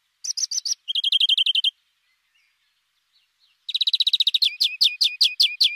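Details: European greenfinch singing. Fast, bright trills of identical notes come in bursts, a pause of about two seconds, then a long rapid rattle shifting into a slower, downslurred phrase repeated several times. The background is quiet.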